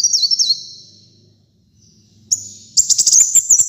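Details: A sunbird known locally as kolibri muncang, in full song as a training track for kept birds. A high, sliding trill fades out, then after a pause a sharp, tinkling, rapidly pulsed phrase begins.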